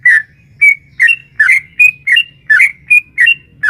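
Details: A female sooty-headed bulbul calls a male with a lively 'ropel' phrase meant to provoke a caged bird; alternating falling and level whistled notes come roughly every third of a second, with steady low hum underneath.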